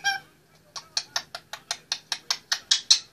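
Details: Indian ringneck parakeet, 18 months old, on its play stand, giving a rapid series of about a dozen short harsh clicking notes at a steady rate of roughly five per second.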